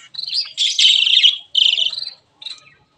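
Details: White and grey Java sparrows in an aviary producing longer bubbling chirp phrases, high and slightly buzzy, with two sustained runs followed by a brief soft note.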